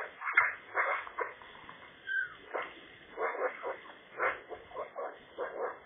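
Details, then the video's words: Eurasian magpie at a contested nest on a sunny, chilly day; uneven run of gritty chattering bursts with one short squeaky note early on, the notes bunching into quicker clusters in the second half. "magpie nest challengers part 3, nice song"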